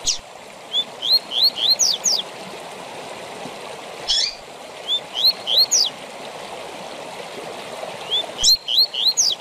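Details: Tui tui zel zel song of a double-collared seedeater, meant for training captive birds: three phrases of quick rising whistles and steep high slurs, each introduced by a sharp note, over constant rushing noise.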